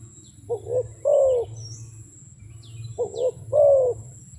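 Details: A wild dove gives two double coos about two and a half seconds apart, each a short note followed by a longer, gently falling one, over a faint low rumble.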